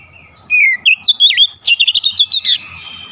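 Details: Aggressive "shooting" song of an Oriental magpie-robin showing off its repertoire: a soft whistle, then about a dozen loud, sharp, evenly spaced notes in quick succession, some swooping down and up.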